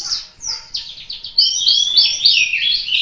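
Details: Indonesian white-eye of the Malang local type in lively song: a few separate high chirps, then a continuous, rapid, high-pitched twittering warble of slurred whistles.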